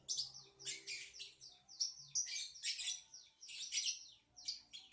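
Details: Pet lovebird chattering in a small room: dense bursts of shrill, scratchy twitters and high squeaky notes, each burst about half a second long, coming in quick succession with brief gaps.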